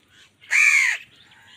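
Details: Single long, harsh, drawn-out caw from an angry crow fighting wild birds for food, rasping and level in tone, with faint bird calls before and after.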